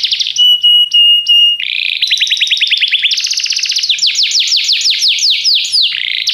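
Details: Canary singing: three steady whistled notes with a high metallic edge, then fast rolling trills of rising sweeps, shifting to a higher, quicker trill and a rapid run of falling chirps.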